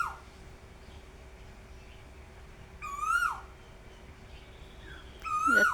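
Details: Asian koel calling from the top of a tree on a breezy day: two loud whistled notes, each rising then falling, about two and a half seconds apart, with faint fainter notes between and a steady low hum.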